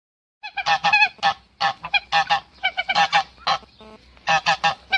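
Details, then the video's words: Male goose defending its female, giving harsh, nasal honks in quick bursts of two to four, with brief pauses between groups and a short quiet gap before the final run. "ذكر الاوز يدافع عن أنثاه Male goose defends its female"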